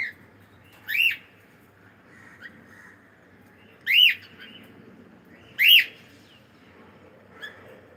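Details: Cockatiel giving three loud, clear arched chirps, each swept up and down, spaced roughly one and a half to three seconds apart, plus a fainter note near the end over quiet background.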